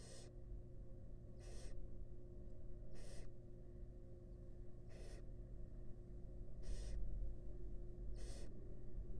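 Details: Wild barn owl in a monitored nest box with its young, giving harsh, noisy hissing screeches of about half a second, repeated roughly every one and a half to two seconds, over a steady low hum.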